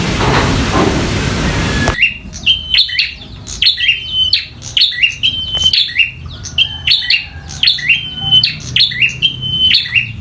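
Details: Bar-winged prinia, local bird, singing in fighting mode. After two seconds of rough noise, steady bursts of sharp clicks and high flat whistles with downslurs come nearly once a second.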